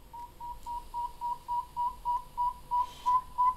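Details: Played recording of a Northern Saw-whet Owl, one of Minnesota's owls, giving a steady run of short, mellow whistled toots, about three per second on one unchanging pitch, over faint room hiss.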